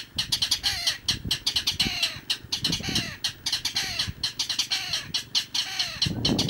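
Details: A mangrove rail recorded at Icapuí, Ceará, Brazil, gives a loud, harsh clattering series of rapid grating notes, several per second, rising and falling in bursts against a quiet background.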